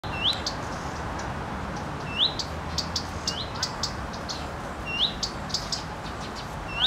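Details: Female common redstart perched on a wind-swayed branch, bobbing her tail and giving her characteristic call, rendered fyuit-tik-tik-tik: clear rising whistles near 3–4k repeated about every two to three seconds, with short ticks between and steady background hiss.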